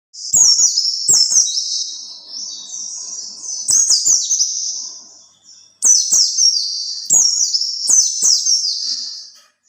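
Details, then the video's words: White-eye song played to lure other white-eyes: high, sweet, rapid warbled phrases with quick descending slurs, delivered in bursts of about two seconds and separated by short pauses, with sharp clicking ticks at the start of the phrases. "kicau pleci buat pancingan pleci lain"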